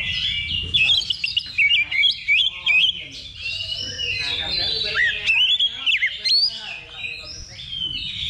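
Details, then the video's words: Oriental magpie-robin practising in a level-2 contest simulation: loud, repeated whistled phrases and chattering notes with sharp pitch jumps, amid overlapping birdsong and some human voices. "Simulasi Lomba Kacer Level 2 Tuk Latihan Sebelum Tanding"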